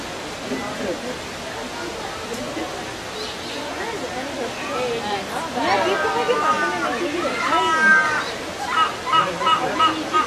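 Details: Hornbills sing back and forth to each other, trading harsh, nasal, harmonic calls; wavering lower notes give way to louder, repeated bursts in the second half, over a steady background hiss.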